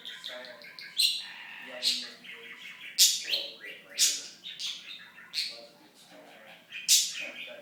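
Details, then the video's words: Domestic budgerigar chattering in imitated speech, a quick run of buzzy, clicking syllables with strong high-pitched accents about once a second. "The Talking Budgie"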